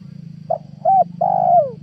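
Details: Spotted dove trapping lure call, 2022: a short quiet note, a rounded coo, then a long coo sliding down in pitch, all over a continuous low hum.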